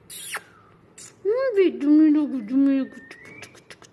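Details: Pet talking parrot saying words in a warbling, voice-like tone, several drawn-out syllables with wavering pitch, over background music.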